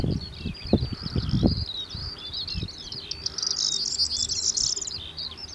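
Corn bunting giving its dry, jangling, high song in scratchy bursts, like shaken keys. Low thumps of wind or handling sound in the first second and a half.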